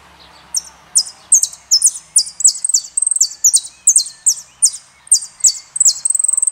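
A saffron finch sings a fast series of high, sharp chips and short buzzy notes, about two or three per second, ending in a thin sustained note.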